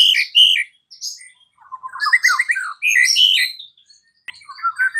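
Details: White-rumped shama heard in the afternoon as a lure to set off a silent bird singing: harsh squawking notes mixed with tumbling chattered phrases and a few whistles.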